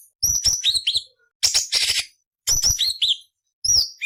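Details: Cucak cungkok singing a varied, harsh grating song meant as tutoring for murai, cucak ijo and kacer: clusters of high whistled slurs mixed with raspy noisy bursts, phrases about a second apart.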